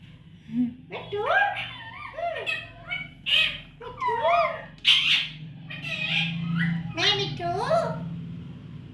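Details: Baby parrot giving a busy string of raspy squawks and bent nasal notes, roughly two per second, mixed with short harsh bursts.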